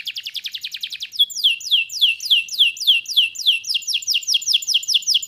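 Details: Canary song opening with a rapid fine trill, then switching to a steady series of strong downslurred notes repeated roughly twice per second, bright and clear.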